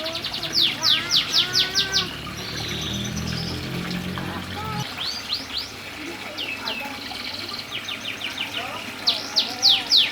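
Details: Caged canary singing vigorously, called gacor, with bursts of rapid high sweeping chirps and short trills repeated several times a second, pausing midway while a low humming drone plays, then resuming with quick bright notes.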